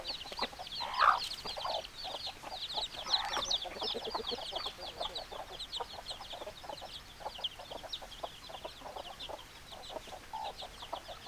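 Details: Chicken flock of hens and roosters keeping up a constant chatter of short clucks with high twittering peeps above, a couple of louder drawn-out squawks in the first few seconds.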